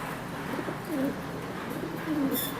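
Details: Fancy pigeons kept for sale, giving soft low cooing notes around one and two seconds over a steady background hum and noise.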